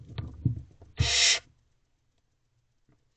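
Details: Barn owl in nest box C at night, 17 April 2023 just after midnight, adult female feeding her hungry owlets; one loud harsh broadband hiss lasting about half a second, with soft thumps and rustling before it and another hiss starting at the end.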